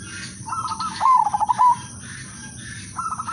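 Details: Zebra dove, udanmas silver variety, singing melodiously to set other doves singing: a soft stuttered lead-in, one loud bubbling trilled coo, then quieter short coos from another dove, over a thin constant high hum.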